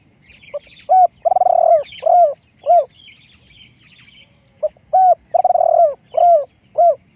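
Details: Spotted dove for decoy trapping calling two cooing phrases in a row. Each is a hoot, a rolling trilled coo and several short downslurred notes, over scattered high chirps and twitters from other birds.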